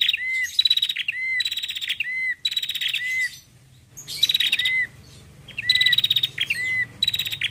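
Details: Female bar-winged prinia (Prinia familiaris) calling loudly, used as a lure: bursts of high, rapid, buzzy ticking notes mixed with short curved whistles, repeating after brief pauses over a faint low hum.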